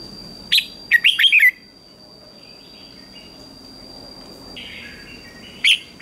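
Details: Red-whiskered bulbul in a morning song contest gives a short note then a quick cluster of bright whistled notes, followed by faint distant bird calls and a lone sharp note at the end.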